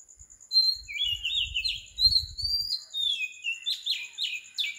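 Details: In Sri Lanka at 4 am an Oriental magpie-robin sings long, warbling whistled phrases that rise and twist, ending in sharp downslurred notes. Soft low thumps come early and a high insect pulse persists throughout.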